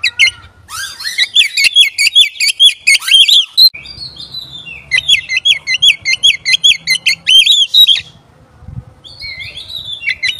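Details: Lure song of an oriental magpie-robin, played to provoke other magpie-robins: two long runs of rapid, repeated up-and-down whistled notes separated by a brief pause, closing with a few softer phrases.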